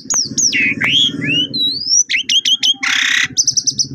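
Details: Pied myna lure song, played to make silent pied mynas start singing: loud varied whistles sweeping down and up, then rapid clipped chips and a harsh rasping burst, followed by a quick buzzy trill.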